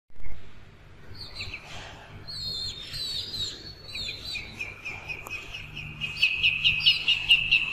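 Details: A yellow goose gives high, thin peeps, sliding and wavering, then quickening into a rapid string of bright chirps near the end, over a low steady hum.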